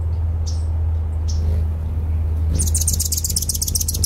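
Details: Anna's hummingbird in suburban Portland, Oregon, recorded in December 2010: a steady, deep wingbeat hum throughout, with a burst of rapid high chirps in the second half and faint background noise.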